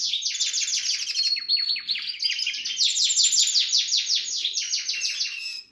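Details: Song of a Harz canary among red and variegated canaries, a continuous fast chain of downward-slurred notes forming dense rolling trills, with faint thin high tones above.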